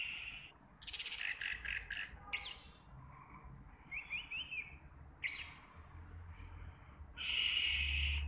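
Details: A young orange-headed thrush, newly moulted into adult plumage, sings loud, varied bursts of high chirps, buzzy trills and quick whistled slurs, each phrase separated by short pauses, over a faint low hum.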